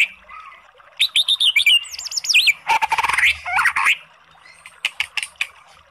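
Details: White-rumped shama song used to goad a sluggish bird into singing: bursts of fast looping and wavering whistles, a rough chattering passage, then scattered short high notes and quieter pauses.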